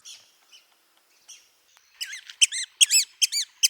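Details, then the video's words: ['Red-cockaded woodpecker, a threatened bird of longleaf pine forests in the southeastern United States: a few faint squeaky notes, then a rapid run of sharp, high, squeaky notes with a rising and falling shape, chattering several times a second.'] "Red-cockaded Woodpecker Call"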